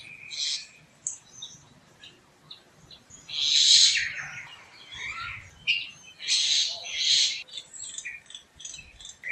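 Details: A Common Myna in forest tree branches gives harsh, hissing bursts twice, a few seconds apart, among scattered high chirps and short whistles, with light wind in the leaves.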